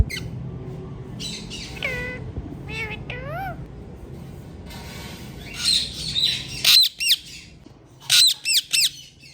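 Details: Several hand-tame ringneck parrots calling: early soft bending whistles, then a loud run of sharp, downward-hooked shrieks in quick groups of two or three toward the end.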